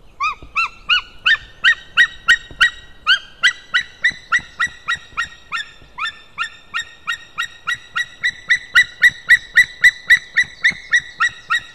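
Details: Male white-tailed eagle calling on 16 May 2016 at 11:51: a long, loud series of harmonic, yelping notes, each rising sharply then falling, about three to four per second, becoming quicker and steadier toward the end, over a quiet background.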